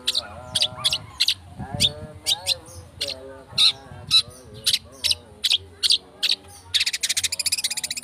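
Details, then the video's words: Long-tailed shrike speed rapet singing, played to provoke singing: crisp high chips repeated about twice a second over lower nasal harmonic notes, ending in a rapid buzzy rattle. "Cendet Speed rapet - PANCINGAN CENDET"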